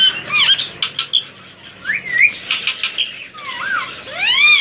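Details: Semi hand-tamed male ring-necked parakeet, aged three, healthy and active: sharp chirps and squawks mixed with rising and falling whistled slurs, ending in a loud harsh screech.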